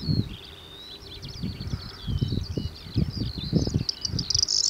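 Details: A Corn bunting sings a continuous series of high, quick ticking and jangling notes that speed up into a dense, glittering jingle at the end. Steady low rumbling noise, likely wind, is heard throughout.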